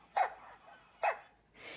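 A pelican gives two short, harsh, bark-like calls about a second apart, like a small dog yapping, followed by a soft rush of noise.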